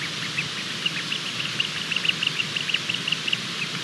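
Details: Bermuda petrel (cahow) chick working hard to hatch, 28 February 2020 at 23:33, giving thin, high peeps, about fifteen short notes in quick, uneven succession over a steady background hiss.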